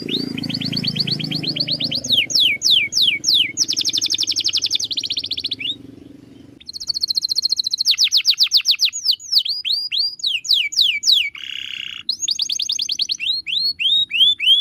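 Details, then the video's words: Canary master song for training birds, a long chain of fast trills: rising upswept notes, buzzy high rolls, a brief pause, then more rapid repeated series and a lower buzzy phrase, with background hum at the start. "MASTERAN KENARI SANGAT BAGUS UNTUK BURUNG ANDA."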